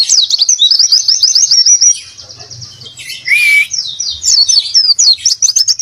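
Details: Oriental white-eye performing a fluent 'gacor isian' song: dense, high-pitched chattering trills of quick repeated notes, a quieter gap with one upswept whistle, then the rapid twittering bursts resume, with faint low rumbling beneath.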